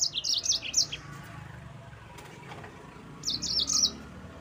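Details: Yellow-fronted canary song for provoking rival birds: a quick cluster of high twittering notes, a pause of about two seconds, then another short burst of rapid chirps.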